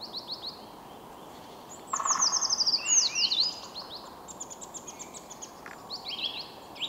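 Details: Eurasian Treecreeper singing: a loud, very high trill of rapid thin notes sliding down and ending in a brief flourish, preceded and followed by softer high chirps and other small bird calls, with constant faint hiss.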